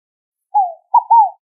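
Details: A single song phrase from a Scaled dove (rolinha fogo-apagou): a smooth downward coo, then a brief pause and a quick note joined to a longer, gently falling coo. Nothing else is heard.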